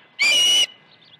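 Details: Osprey at the nest at Dunrovin Ranch, 21 August 2019: one loud, clear whistled note held for about half a second, then quiet with faint distant chatter.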